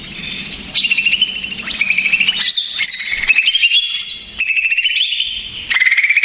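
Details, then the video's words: Stressed male greater green leafbird singing noisily as a lure to make untrained birds answer. Loud whistled phrases hold level, then jump in sharp upward slides between short pauses, rapid warbling throughout. "SUARA CUCAK IJO RIBUT !!! CUCAK IJO STRES, MACET BUNYI, CAK IJO BAHAN LANGSUNG NYAUT BOCORRR."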